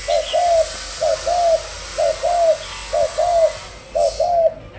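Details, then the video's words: Caged spotted dove from Malaysia, of the thúc gù song line, being trained as a decoy bird, giving mellow low coos in pairs, a short note then a longer drawn one, repeated about once a second, with steady background hiss. "Malaysia, Tập Lên Mồi. Dòng Thúc Gù"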